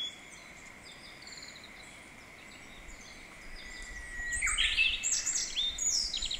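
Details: In a mountain valley with a slight echo, a Japanese bush warbler delivers its practised song: a long steady whistle sliding upward into a loud, rich, rapid closing phrase, after quiet seconds of faint background chirps.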